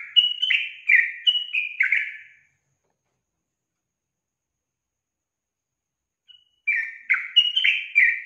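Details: Sooty-headed bulbul female calling to provoke males into answering; a burst of quick, descending whistled notes, about four seconds of silence, then another lively burst.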